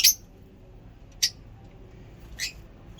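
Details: Lovebirds calling: three short, sharp, very high chirps spaced about a second apart, each a quick bright burst over a quiet, faintly humming background.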